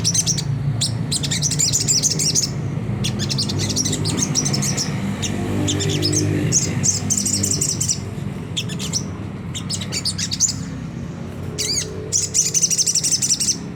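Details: Sunda whistling thrush, ngriwik kasar rough chatter meant to spur caged birds into singing: long bouts of fast harsh high notes broken by short pauses, roughly three notes a second overall, with a steady low background hum throughout.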